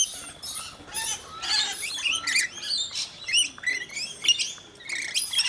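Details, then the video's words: Rainbow lorikeets feeding in Mt Gravatt, Brisbane, Australia, a scaly-breasted lorikeet among them; overlapping high chattering screeches and twittering, a busy continuous jumble from several birds. "Rainbow Lorikeets at HUB 292 (Mt Gravatt, Brisbane)"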